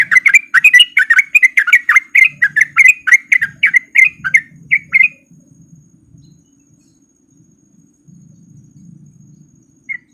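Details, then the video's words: Sooty-headed bulbul lure song, a male's rapid ropel chatter meant to get reluctant birds singing. Quick, slurred chirps fill the first five seconds, then fade into near silence with a faint low murmur. "Pancingan Trucuk Gacor Biar Trucuk yang Malas Bunyi jadi Ikutan Bunyi"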